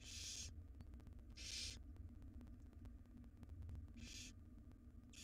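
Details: Barn owl chicks, wild in a nest box, beg while being fed a jird by the female. Three rasping, breathy hisses are spaced irregularly, and a low background hum continues between them.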